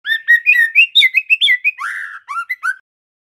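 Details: Young male White-rumped shama, a spotted juvenile, learning its song: a quick run of clear whistled notes rising and falling, then a longer buzzy slurred note and a few short closing whistles, with no other sounds in the background.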